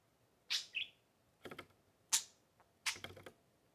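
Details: Two pet male budgies, a 3-year-old green and a 4-month-old blue, playing on a table indoors; a few short sharp chirps spaced about a second apart, mixed with clicking taps.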